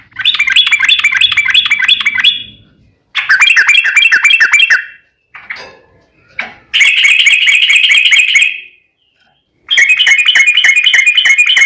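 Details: Sooty-headed bulbul delivering its long rapid roll song, played to prompt other bulbuls to sing: several extended, fast, buzzy trills lasting about two seconds each, separated by brief pauses.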